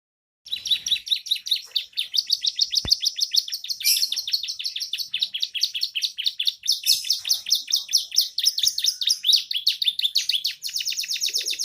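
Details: Young canary singing energetically in a style filled with bar-winged prinia phrases; a long, unbroken stream of rapid, high, chattering and trilled notes with brief shifts in pace, with no other sounds.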